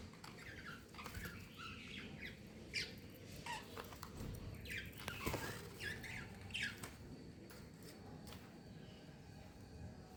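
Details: A pet budgerigar at home, with city surroundings, chatters with quick scratchy chirps and squawks over a low household hum.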